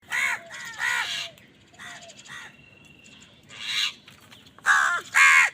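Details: Crows fighting over food: loud, harsh, nasal caws in quick pairs, then a pause and two more strident caws. Fainter chattering birds and a thin whistled note run underneath.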